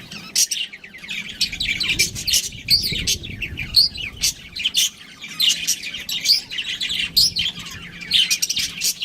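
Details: A breeding pair of domestic budgerigars keeps up lively, scratchy chirping and warbled chatter in repeated bursts, with a faint low rumble beneath.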